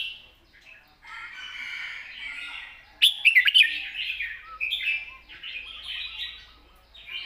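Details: Red-whiskered bulbul long song in wild-style phrasing: soft continuous warbling, a sudden burst of sharp chirped notes around the middle, then more rambling fluted phrases.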